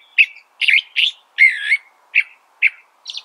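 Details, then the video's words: California thrasher singing about seven separate phrases in three seconds: short clear notes and one longer warbled, wavering phrase in the middle, with clean silence between phrases. "California Thrasher Bird Sound"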